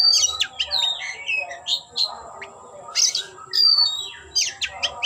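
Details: Oriental magpie-robin displaying with open tail, pouring out bright downslurred whistles, buzzy rasps and quick chirps in dense phrases, loud and continuous over a low background hum.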